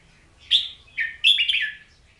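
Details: Oriental magpie-robin song: a bright, varied run of clear whistles, with a high rising note, a lower slurred tone, and then a rich, fast-changing warbled flourish.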